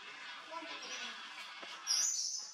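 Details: A pair of scarlet-breasted lorikeets grooming each other; one gives a single brief, shrill, rasping screech near the end, after a stretch of steady hissing background noise.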